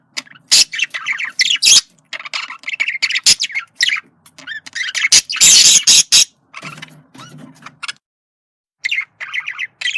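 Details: Male budgerigar communicating: scratchy chattering warbles broken by loud harsh clicks and squawks, with a quiet gap near the end before chatter resumes.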